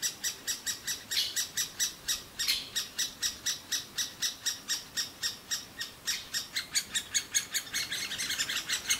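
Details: Great spotted woodpecker chicks in a nest cavity in a large old aspen beg nonstop for food as both parents feed them: a steady run of harsh, high chirps, about three or four a second, growing louder and busier toward the end.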